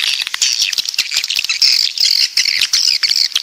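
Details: Coastal-type swiftlets from the south calling together, short bursts of high squeaky, buzzing chatter with a few sharper whistled notes near the end.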